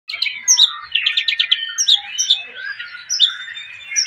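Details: A golden-coloured long-tailed shrike, a rare colour form, sings a continuous, varied chattering song of rapid trills, squeaky notes and high whistles, with no other sounds heard.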